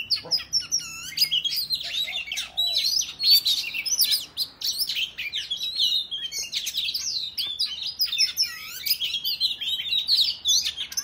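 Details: A male-provoking fighting song from an Oriental magpie-robin, said to make other males open their tails. It is an extended, nearly continuous outpouring of high whistles, trills and mimic-like chatter with almost no breaks.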